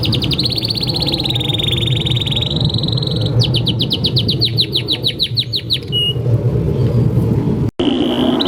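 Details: Canary master song for teaching juveniles and reviving silent singers: a long high trill, then a burst of rapid falling notes, a brief whistle, a short dropout and a renewed trill, against low steady noise.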